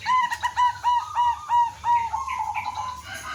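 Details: Zebra dove of the local type, singing as a decoy to draw answering doves; six or seven clear, even coo notes repeated about three per second, ending in a softer, trailing trill.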